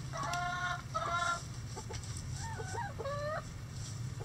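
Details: Chickens scratching in the coop as a rooster crows: two loud harmonic crow segments in quick succession, followed by softer clucks and a wavering, stepped call, over a low background hum.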